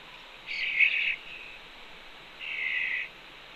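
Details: A red-tailed hawk fledgling with its mother at a Cornell nest ledge, June 2, 2013, afternoon: two loud, coarse, high screeches, each about half a second to a second long, two seconds apart.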